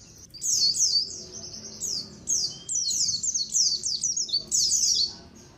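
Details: White-eye colony chatter for use as a lure. Loud, crowded high twittering with steeply falling chirps in rapid series, and a short lower whistle midway.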